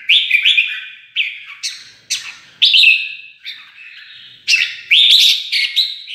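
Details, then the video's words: Red-whiskered bulbul singing competitively after being provoked: bright, chirpy whistled phrases of quick rising and falling notes, delivered in bursts about every second, with no other sounds. "Chào mào kích là đấu"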